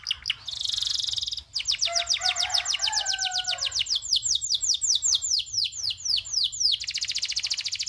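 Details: Long-rolling local canary, tutor-style singing: a brief dense trill, then a long series of quick descending whistled sweeps repeated several times a second, with lower warbled notes underneath, ending in a fast high buzzy roll.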